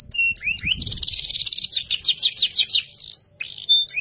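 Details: Canary of the FFYS type in full song, mixing quick upward slurred whistles with a dense fast trill of repeated sweeping notes, then sharp rising chips and a short pause, over faint low rumble.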